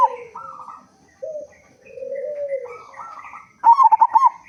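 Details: Loud-voiced local zebra dove, a frequent singer, used to lure other zebra doves into calling: gentle drawn-out low coos, then a sudden bright burst of rapid staccato cooing notes.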